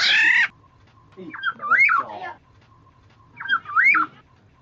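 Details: Black-naped oriole (kepodang) lure recording: a loud harsh nasal call, then two liquid, looping whistled phrases a couple of seconds apart, each rising and falling in a fluty swoop.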